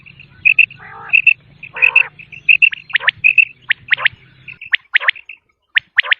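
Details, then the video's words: Common quail calling: bright, clipped double and triple notes repeated in quick bursts, mixed with a few lower, rougher grating notes and a faint low hum underneath. "common quail sound"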